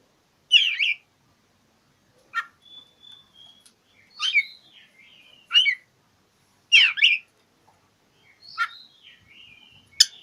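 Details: Oriental magpie-robin song for challenging an opponent: loud buzzy slurred phrases and sharp whistled notes every second or so, linked by thin drawn-out high tones, in an otherwise quiet setting.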